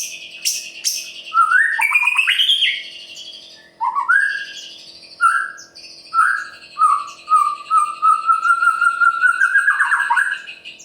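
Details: White-rumped shama, Murai Pastol style, in full song to goad other birds into singing: loud sweeping whistles, short separate mellow notes, then a long, steadily rising drawn-out whistle.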